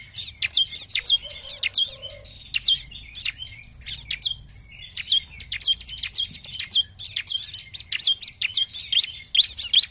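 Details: Energetic bar-winged prinia song used to rouse rivals into singing: near-continuous strings of high, thin chirps and ticks in rapid succession, briefly joined early on by a soft lower sound.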